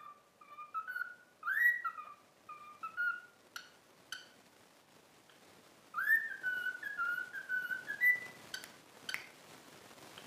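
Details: Pet cockatiel whistling a learned tune, 'If You're Happy and You Know It', taught through daily training: clear whistled phrases, some rising, others falling, in short bursts with brief pauses between them, plus scattered soft clicks.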